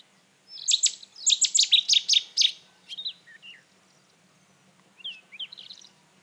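A rufous-tailed scrub robin sings a quick run of high, clear notes, then a few slurred falling whistles, a pause and a shorter twittering phrase. A faint low hum runs underneath.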